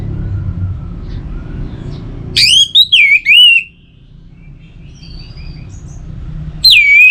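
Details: Orange-headed thrush song meant to prompt singing: a cluster of loud, clear whistled slurs that dip and rise, followed by quiet, then another piercing whistled note near the end, with a low background rumble.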